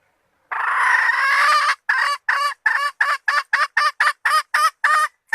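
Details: Lure recording of a hen red junglefowl calling males: one long, rough, sustained note, then a rapid cackling series of about a dozen short, evenly spaced clucks that continue to the end.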